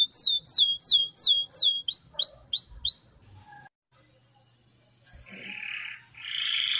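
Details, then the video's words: Canary song phrase of loud, sharp downslurred whistles repeated in a quick series, a short pause, then a softer buzzy rolling note building in volume. "chant canaris تغريد الكناري singing canary"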